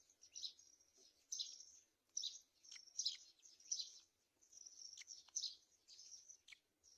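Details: Black-winged kite feeding its chicks at the nest; repeated high, raspy squealing calls in uneven bursts, some drawn out, others short, with a few faint clicks between.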